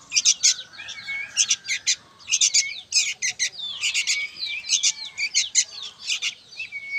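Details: Noisy young sooty-headed bulbuls calling together: dense bursts of sharp, high chirps stacked in rapid clusters, mixed with short whistled notes that slide down and level off, with brief pauses between the bursts.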